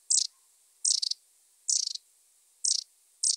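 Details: Long-tailed tit (Aegithalos caudatus) calling: short, very high, dry rattling bursts of several pulses each, repeated roughly once a second, with nothing else heard.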